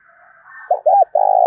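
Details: Spotted dove provoked to fight, cooing: two quick hollow notes followed by a sustained, slightly rough coo, cut off abruptly, with no other sounds.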